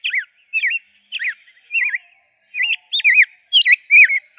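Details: Rose-breasted grosbeak song: clear, looping whistled phrases that rise and fall, spaced by brief pauses and growing slightly more intricate toward the end, with a quiet background.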